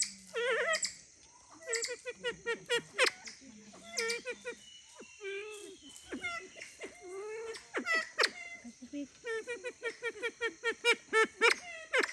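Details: Siamese fireback giving a busy run of harsh, nasal notes, some sliding downward and some short and clipped, packed densely and irregularly through the stretch, with a faint steady hum beneath.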